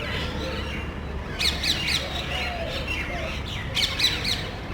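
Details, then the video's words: A small group of parrots searching for nest sites around electrical and TV cable boxes in a neighborhood, calling loudly as if quarreling; harsh squawks come in two bursts of three or four, over low steady background hum. "Parrots Making Loud Noise.तोता वार्ता"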